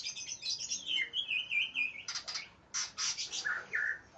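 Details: Greater green leafbird in an aggressive mood, seeking a rival: a flowing warbled whistle phrase, then harsh buzzy bursts and a couple of lower slurred whistles at the end.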